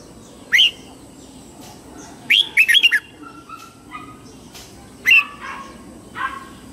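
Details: Red-whiskered bulbul morning song, used to train young white-cheeked birds: short bright warbled bursts, a quick cluster of rising and falling notes near 2.3–3 seconds, with softer scattered notes between and faint background hiss.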